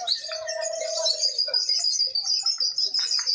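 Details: Lovebirds at a singing contest, judged on constant chatter; a continuous high, shrill twittering stream runs throughout, with a brief lower held note at the start.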